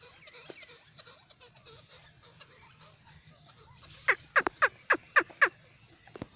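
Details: After a quiet, murmuring background, a teetar or francolin bursts into six sharp, loud descending notes in quick succession, then falls silent.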